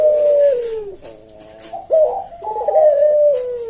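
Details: A captive Barbary dove (puter jawa) gives a long, falling coo, a pause, then a sharp note and another extended, slightly wavering coo in slow senggang style.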